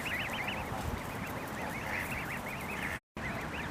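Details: Canada goose goslings with their families, eating and fighting beside one another, give rapid, wavering high peeps in a near-continuous run of quick rising-and-falling notes over a low background rumble, with one short gap.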